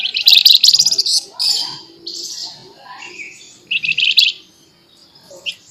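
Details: Flamboyan song described as full nembak, nyerecet and sharp: loud rapid high trilled bursts alternating with shorter whistled phrases and quiet pauses.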